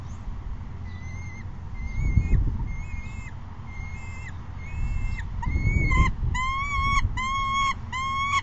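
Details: Juvenile peregrine falcon screaming for food as it chases its mother onto the perch, May 2016: thin wailing calls with downward endings, then at the end a louder burst of harsh rasping screams in quick succession; a few thumps between.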